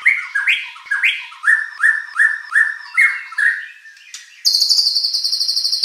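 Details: White-rumped shama (murai batu) song used as a lure to provoke competition birds into singing back; a fast run of rising, slurred whistled notes about three per second, ending in a harsh, buzzy, high-pitched burst.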